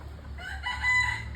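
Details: Red junglefowl giving a clear crow, rich harmonic notes swelling steadily louder across the phrase and peaking near the end, with soft low hum underneath.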